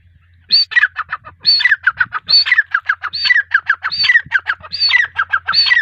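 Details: A female grey francolin's repeated call: a high rising-falling squeal followed by several quick clipped notes, the pattern recurring roughly every second over a steady faint low hum.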